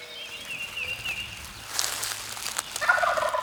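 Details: Male wild turkey gobbling from the roost on Maryland public land during a hunt; a loud, rapid rattling gobble bursts in near the end after thin whistled songs of other birds.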